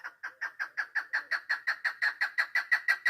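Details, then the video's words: Female chukar partridge kept for hunting, 3 May 2025: a steady rhythmic chain of husky chuck notes at a quick tempo, gaining slightly in loudness. "Овози модакабк // Модакабки шикори // Садои модкабк // Keklik sesi mada shikari"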